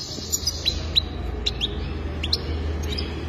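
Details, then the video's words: Single goldfinch chirps, thin and high, spaced roughly every half second, with a noticeable low droning hum underneath. "اجمل تغريد حسون رائع جدا"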